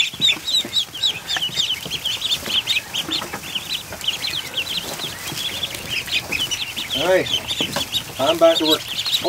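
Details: Newly hatched ducklings, 109 in all, crowded into a kiddie pool in a barn on an afternoon. Dense, continuous high-pitched peeping from many birds overlaps throughout, with a couple of lower, harmonic calls near the end.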